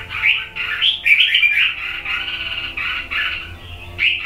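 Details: Wild-caught red-whiskered bulbul from A Luoi, Hue, Vietnam, red-cheeked, two seasons old: a continuous run of warbled, chattering phrases with quick up-and-down slurs, fairly loud throughout.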